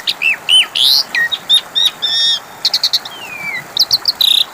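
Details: Asian pied starling song used as a lure to make silent birds of its kind answer: rapid varied whistles, rising and falling slurs, buzzy bursts and a long descending glide, many notes in quick succession.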